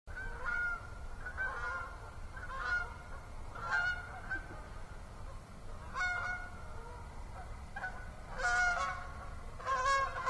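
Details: Geese honking on an autumn evening, 6 October 2014, at Assabet River National Wildlife Refuge: harsh nasal honks repeated roughly once a second, sometimes in quick pairs, over a steady low insect drone.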